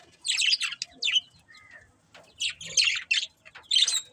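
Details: Budgerigar chirps in short separate bursts: harsh, buzzy chatter notes with a thin whistled slide in between, then several quick rasping chirps after a brief quiet gap.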